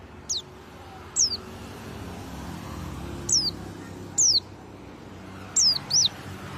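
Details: Morning white-eye after bathing gives isolated high, sharp descending whistles, single or paired, spaced about a second apart, over a faint low rumble.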